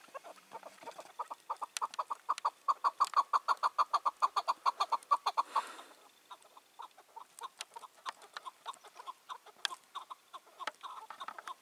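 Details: Evening calling on 4 June 2023 from a wild chukar partridge, a male of five or six years that silences other males. A fast run of clucking chuk notes builds and then fades into quieter, scattered clucks.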